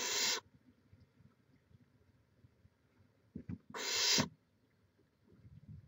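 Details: Nesting barn owl, Chula Vista, California, on a live camera in May 2017: two harsh hissing screeches about three and a half seconds apart, with a few soft taps and low background hum.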